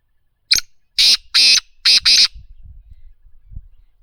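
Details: Black francolin (kala teetar) giving a loud, harsh call: one short rasping note, a pause, then four grating, broadband bursts in quick succession. Faint low rumble afterward.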